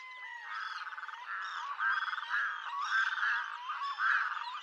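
Red-throated loon giving a run of harsh, nasal, croaking notes, some broken into fast rattling pulses, strung together almost without pause.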